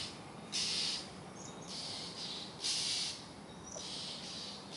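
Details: Oriental Magpie Robin screaming at night: harsh, hissing screeches about half a second long, repeated roughly every second, under a loud, steady background hiss.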